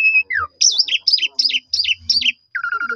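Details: Black-collared starling lure song to provoke other starlings: a falling whistle, then five quick looping whistled phrases repeated at an even pace, ending with a trilled lower note.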